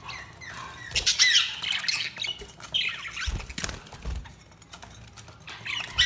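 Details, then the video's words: Budgies chirping, with scratchy squeaky chatter in short bursts over a background of low thumps and rustling noise. "Budgies Sounds| Budgies Chirping sound"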